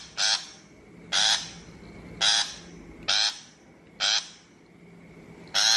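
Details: Shrike call played from a trap speaker as a lure: six loud, raspy notes about one second apart, each short and coarse, with a soft constant hum behind.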